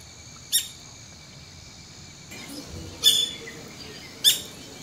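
Streak-throated woodpecker giving three sharp, high single notes a few seconds apart, over a steady high insect drone.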